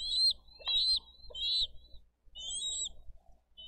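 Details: Bald eagle nest in Dade County on 22 April 2023, adults delivering fish and feeding eaglets: a series of high, squeaky whistled notes, slightly wavering, repeated in short bursts with brief pauses, over a quiet low rumble.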